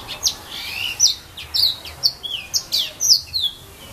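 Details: Yellow-fronted canary (serin pays) from casuarina trees in Saint-Philippe, Réunion, delivering rapid, evenly spaced bright chirps and high slurred whistles, roughly three to four per second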